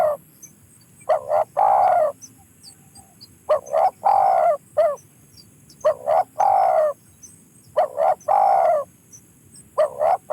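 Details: Spotted dove cooing in phrases of two or three short hollow notes followed by a longer, slightly falling coo, repeated roughly every two seconds over a quiet background.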